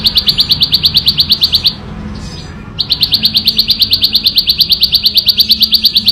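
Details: Wild bar-winged prinia singing in the ngebren style, clear and loud: a quick machine-gun series of high piercing notes, a brief silence, then a longer unbroken run of the same rapid chips.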